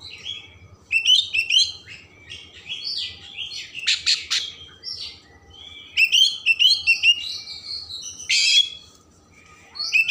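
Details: Oriental magpie-robin pouring out a long, richly varied song to excite emotion and tail opening: dense twittering runs, buzzy rasps and clear whistles in quick succession, steady low hum in background.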